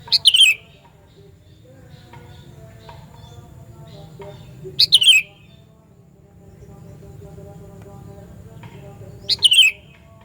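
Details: Sooty-headed bulbul loud call used to lure other bulbuls: three short, bright downslurred notes, each a quick two-part chirp, spaced about five seconds apart over a faint low hum.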